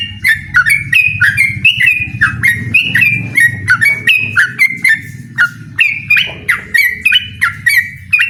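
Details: Trucukan, the yellow-vented bulbul, challenging an opponent with lively song: fast bubbling chain of whistled notes, each starting with a sharp click-like flick then a bright level tone, many per second, over a faint low hum.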